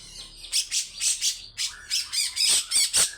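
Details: Rough, long 'besetan' singing by a grey-cheeked bulbul: a quiet start, then loud buzzy rasps in quick succession with a brief whistled phrase threaded between them.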